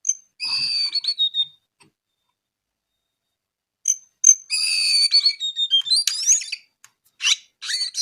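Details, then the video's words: Jongkangan coklat, the brown-eared bulbul, delivering clear high whistled phrases with downward slurs, a long pause, then a denser burst of whistles and squeaky notes. "KICAU JONGKANGAN COKLAT GACOR TELER."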